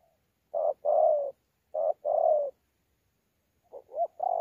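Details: Wild-caught spotted dove of the thổ pha style recorded at Sa Thầy on 26 November 2019, giving contest cooing with gù coos: low, hollow notes in pairs of a short note and a longer drawn note, ending in broken fragments, quiet background.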